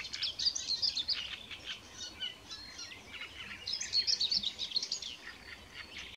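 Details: A great reed warbler, heard singing but not seen, gives two bursts of harsh, scratchy chattering phrases, each about a second long, over a steady background hiss; Rači Potok, Košice, Slovakia, 10 May 2020.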